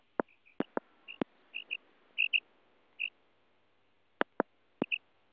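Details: Female common quail calling, used to lure birds for hunting: short, high, clipped notes, some single and some paired, scattered over five seconds, mixed with loud sharp clicks in an otherwise quiet setting.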